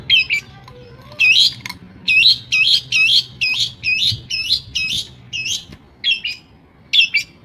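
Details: Madura long-tailed shrike mimicking other bird species: a brisk series of sharp, scratchy, chirping phrases, roughly one each half second to second, over a low background hum.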